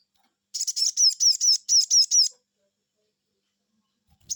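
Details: A sogon bird, answering a lure, gives a rapid run of about eight sharp, high, down-slurred 'cuiit' notes in under two seconds, followed by quiet.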